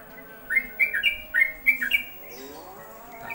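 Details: A wild Yellow-vented Bulbul that arrived in the afternoon, during the asr call to prayer, gives a quick run of bubbly, liquid notes, several chirps per second for about a second and a half, over faint background hum. It then flew off.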